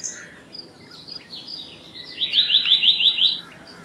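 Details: Black-naped monarch, also called black-naped blue flycatcher, giving a quick run of about seven sharp, high, evenly spaced notes after softer scattered chirps, with faint background bird notes.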